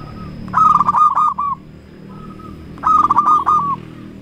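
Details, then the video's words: Local zebra dove calling to provoke rivals into answering; two bursts of rolling, buzzy-edged coos about two seconds apart, with a soft single note between and a low rumbling background. "Perkutut Lokal Gacor Raja Pikat Paling Ampuh Ahlinya Bikin Lawan Gacor Nyaut"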